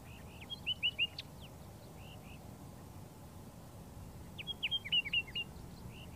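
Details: A pair of Layard's warblers (tit-babblers) foraging together in bushes on a dry Karoo farm near Hanover, Northern Cape, sing softly to each other: two quick bursts of five or six high twitters over a low, steady outdoor hiss.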